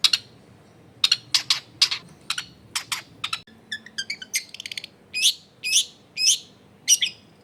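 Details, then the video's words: Long-tailed shrike singing as a lure for other shrikes, recorded in a densely populated residential area: rapid harsh chips, then a jumbled run of mimicked twittering notes and a few louder rasping calls near the end. "SUARA CENDET GACOR PIKAT AMPUH BIKIN BURUNG CENDET LAIN LANGSUNG ON DENGAN MUDAH NYAUT GACOR DOR"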